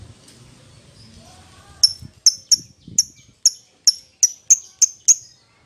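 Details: Lovebird calling its companion: a series of short, sharp, high chirps spaced roughly half a second apart, clean and piercing, after a second of faint background noise.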